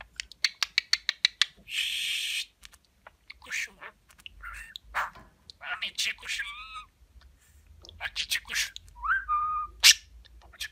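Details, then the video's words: Pet budgerigar talking with a kiss-heavy repertoire: rapid smacking kiss clicks, a short buzzy burst, then high chattering speech-like syllables with a few bright rising whistled notes, indoors in a small room. "Öpücük Ağırlıklı Konuşan Muhabbet Kuşu"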